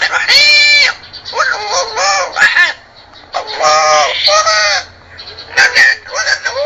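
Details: Amazon parrot talking: loud, harmonic, speech-like squawked phrases in bursts with short pauses, shrill rising and falling tones, indoors.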